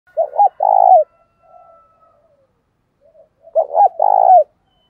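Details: Spotted dove cooing to stimulate and lure doves: two short coos lead into a longer, steady mid-pitched coo, then a faint murmur and a gap, and the same phrase repeats.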